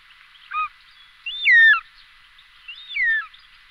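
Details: Short-toed snake eagle calling: a brief whistled note, then two longer, clear, slurred whistles that sweep downward, over a steady background hiss.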